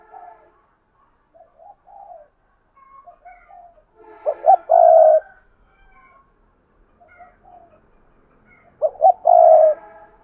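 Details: Spotted dove kept as a lure for wild doves, giving its cooing phrase twice about four seconds apart. Quiet mumbled notes come before each abrupt pair of short coos and a drawn-out, burring last note.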